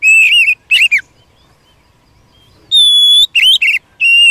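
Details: Wild Oriental magpie-robin singing to provoke a kept bird: loud wavering whistles, a silent pause, then a long level whistle followed by warbled slurred notes.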